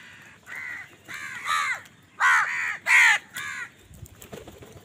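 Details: House crows calling angrily while fighting other wild birds for food: harsh, hoarse caws in short bursts, several overlapping, with louder paired caws near the end and faint rustling after.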